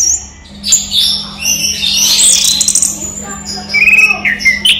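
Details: Orange-headed thrush, a kept songbird, singing during the day: rich, fast high phrases of whistles and buzzy trills, with a rising whistle near the middle and short chirped notes toward the end; a low steady hum runs underneath.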